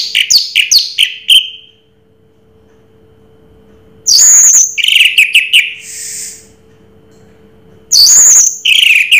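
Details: Raja Teler song of an orange-headed thrush, locally Anis Merah: a quick run of sharp chips ending in a ringing whistle, a silence, then loud dense bursts of mixed whistles and chatter, with a low background hum.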